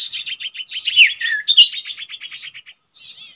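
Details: Common iora at a known nesting spot where birds are trapped: fast, continuous chattering series of about a dozen notes with a couple of louder downslurred whistles, ending after a brief gap with a softer buzzy note.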